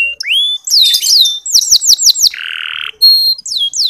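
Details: Canary, its song used as a lure to stir male canaries into singing, gives a quick, varied phrase of high rising whistles, a run of rapid downslurred chips, and a brief buzzy rattle.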